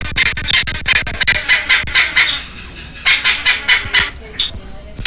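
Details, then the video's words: Two baby red-lored amazon parrots being hand-fed at a rescue center in Heredia Province, Costa Rica, on May 13, 2022; harsh, raspy squawks pulse in rapid bursts, a pause, then another quick run of scratchy calls. "A feeding frenzy for two baby Amazon Red-lored parrots!"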